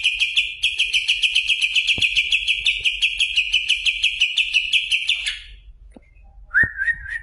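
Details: Competition-class greater green leafbird delivering a long, fast, even trill of sharp repeated notes lasting about five seconds, then a brief pause and a short lower slurred phrase.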